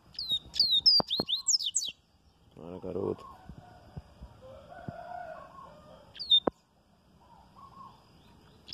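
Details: A Double-collared Seedeater sings the Bahia-type "viviti" song on a Wednesday morning: a quick burst of high, sharp downslurred whistles and chips, then a later brief phrase, with low rumbling noise between.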